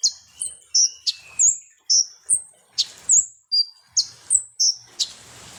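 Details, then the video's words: Sunbird (konin, kolibri ninja) song played as a lure to provoke birds: a lively string of short, piercing high whistles, each dropping or flicking in pitch, repeated roughly twice a second over a quiet background. "SUARA BURUNG KONIN atau KOLIBRI NINJA || PANCINGAN KONIN BAHAN AGAR CEPAT EMOSI"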